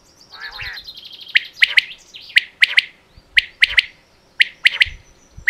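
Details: Female quail calling in Pakistan: sharp, high notes in pairs and triplets repeated about once a second, preceded by a softer rippling trill; faint low thumps in the background.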